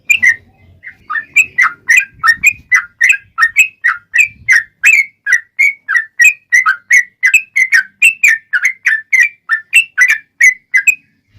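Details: Yellow-vented bulbul singing a long lure song to make other bulbuls answer; a continuous string of clear, bubbly whistled notes, three to four per second, with faint low background noise.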